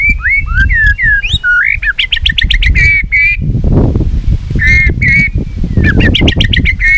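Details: Competing in song with its tail flicking, a white-rumped shama gives rising and falling whistles, then rapid runs of buzzy, stuttering notes, pausing and repeating them, over heavy low background noise.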